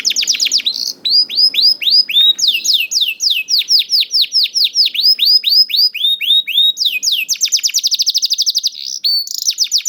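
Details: Young canary delivering continuous song intended to trigger reluctant canaries: series of bright down-swept whistled notes in repeated tours, tempo shifting from slow slurs to fast rattling trills, loud and clear throughout.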